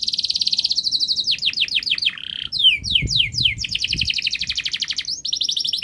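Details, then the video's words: Long, rapid canary song meant to teach juvenile canaries to sing: a fast high trill, then a run of sweeping downslurred notes and rising whistles, returning to dense rolling trills with a brief pause. "Kenari Gacor Panjang Speed Rapat Untuk Pancingan kenari Paud Agar Cepat Gacor"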